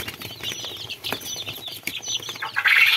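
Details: Small chicks give high, short peeps amid rustling and wing flutters, ending in a louder noisy burst.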